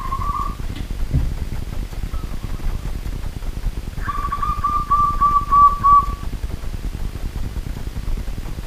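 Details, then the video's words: At night a local wild zebra dove gives a brief coo, then a longer phrase of quick, bead-like trilled notes that grows louder over about two seconds, against a low, steady hum. "BURUNG PERKUTUT LOKAL ALAM GACOR DI MALAM HARI"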